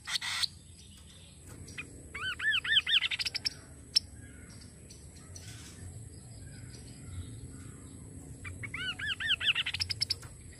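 Kaso kaso bird giving two bursts of quick, arched, harmonic notes, a rapid chattering series about four per second, separated by quieter background.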